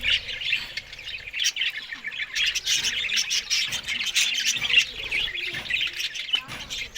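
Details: Morning green-food feeding of Australian budgerigars: layered high chirps, squawks and warbling chatter that build in the middle, with scattered clicks and soft low thumps.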